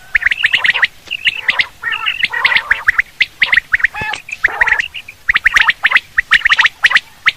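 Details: Quail call for hunting: busy, irregular chatter of harsh chirps, gargling trills and rasping notes, packed closely together.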